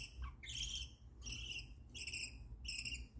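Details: Pet budgerigar making happy sounds, kept among pet birds: three loud, harsh, buzzy chirp bursts with bright ringing overtones, each about half a second long, separated by short pauses, over a steady low background hum.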